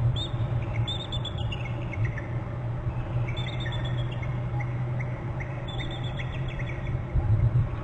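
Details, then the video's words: Both adult bald eagles trilling at their nest on Hornby Island, the female then moving off to the right; high, thin, descending piping notes come in three bursts about every two and a half seconds over a steady low hum. "trilling by both"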